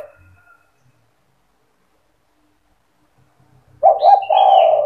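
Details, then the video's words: Spotted dove cetretan song meant to make other doves sing along: after a long quiet stretch with faint low knocks, a low stuttered coo phrase begins, overlaid by a brief higher chirp from another bird. "Suara burung tekukur gacor cetretan bikin deruk tekukur derkuku balam lain emosi ikut bunyi"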